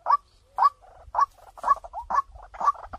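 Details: White-breasted waterhen calling as a lure: loud, clear kwak notes repeated about every half second, with softer low clucks and a brief whistle-like slide between them.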